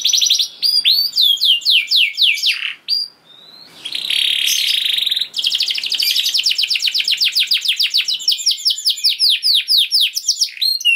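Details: Canary in long gacor song used to trigger other canaries' singing: rolling tours of quick curved notes, a brief pause, a harsh buzz, then an extended rapid chattering roll.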